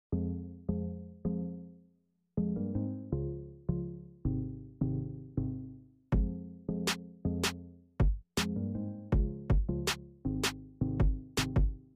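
Electronic music with a drum machine beat and synth notes; no animal voice.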